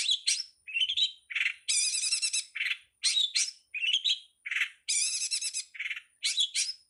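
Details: Long-tailed shrike (pentet) training master in 'ala anak rimba' style: busy mixed phrases of sharp chirps, down-slurred whistles and long buzzing trills, alternating quickly and repeated.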